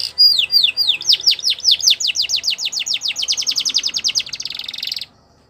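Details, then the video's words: Canary champion song used for training: loud series of rapid down-slurred whistled notes, slowing then speeding into a fast trill, ending in a dense buzzy roll before silence. "Canary Training Champion Song"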